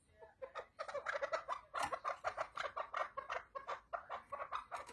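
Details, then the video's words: Chukar partridge calling in a rapid run of harsh, clucking chuk notes centred mid-pitch, repeated several times a second with uneven loudness across the whole stretch. "Muhteşem Keklik Sesi | Süper Keklik Sesi"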